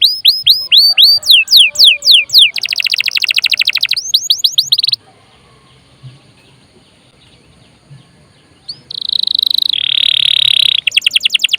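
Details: Canary singing constantly, meant to provoke other birds to sing and serve as a tutor: down-slurred whistles, then buzzy rolling trills, a short pause, and a return to a rasping sustained note and quick trill.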